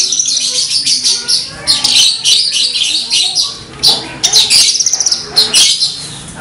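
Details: A Horsfield's bush lark (Mirafra javanica) pours out a continuous, high, varied song of sharp chirps and quick rattling trills with barely a pause; faint lower sounds murmur underneath.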